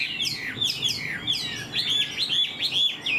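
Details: ['Caged Chinese Hwamei with fanned tail and fresh new plumage, singing while flicking its tail: loud, varied whistled phrases of high looping notes and rapid slurred upsweeps, with faint background music.']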